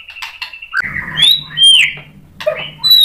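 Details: White-rumped shama singing hard in reply to a fighter rival and showing off its repertoire of learned song. Short buzzy notes give way to clear rising and falling whistles, with a bright upward slide near the end.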